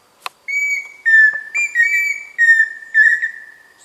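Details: A pheasant cuckoo repeating its whistled phrase several times in close succession, alternating slightly higher and lower pure tones, some with short tremulous breaks, loud and clear against a quiet background.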